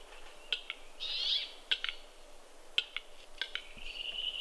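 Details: At a snowy Kuusamo lek in Finland, spring 2021, capercaillies fight: isolated sharp clicks every second or so, a brief grating rasp early on and a thin drawn-out scrape closing the stretch.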